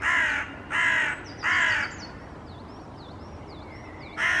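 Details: Several Hooded Crows (Corvus corone cornix) perched in a treetop in Helsinki, Finland, April 2024, calling in a slightly agitated tone: three harsh, hoarse caws in quick succession, a pause filled with thin high twittering from a smaller bird, then another caw.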